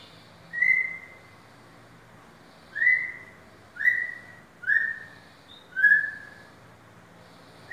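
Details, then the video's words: Caged white-rumped shama offered for sale, repeating a single clear whistle that slides gently downward, five times with irregular gaps of one to two seconds. "murai Batu balak"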